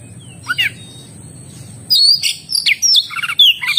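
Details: Oriental magpie-robin (kacer) in energetic 'gacor' song: two short notes, a pause, then a rich run of bright whistles, downslurs and quick trills, against a faint low hum.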